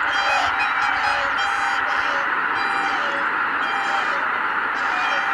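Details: A loud, close chorus of honking from greater white-fronted geese taking off together at Kabukuri-numa marsh, 12 January 2019, with ringing calls in quick bursts.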